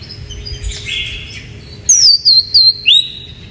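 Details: Oriental magpie-robin song used as a lure to stimulate other birds: after soft background chatter, four loud, clear high whistled phrases with sweeping, looping notes follow in quick succession.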